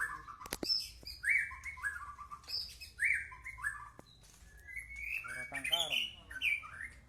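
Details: White-rumped shama singing a run of clear whistled phrases, mostly slurred and descending, some rising, a short pause between each, with a busier patch of mixed notes near the end and a low hum underneath.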